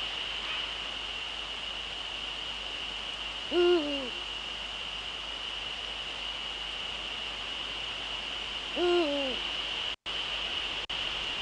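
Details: Male Eurasian eagle-owl in the Netherlands, 30 January 2013 at 18:00 in the evening, hooting twice about five seconds apart; each deep hoot swells then sags downward, with a constant high-pitched hum and brief dropouts near the end.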